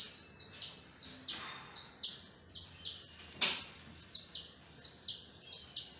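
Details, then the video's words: Several baby chicks peep constantly: high, thin chirps that drop in pitch, two or three a second, with one sharp knock partway through. "Chicks sound"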